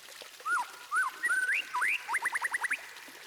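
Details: Song of a white-rumped shama intended to make all birds join in. A few rich slurred whistles are followed by a rapid series of about seven steep upward sweeps.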